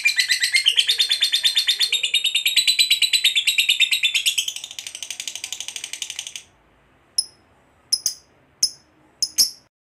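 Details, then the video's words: Lovebird giving a long ngekek chatter to goad other lovebirds into sounding off: a fast harsh buzzy rattle for about six seconds that fades out, followed by a few sharp isolated high chips. "Suara Burung Lovebird Ngekek Panjang, PANDAI Pancing EMOSI"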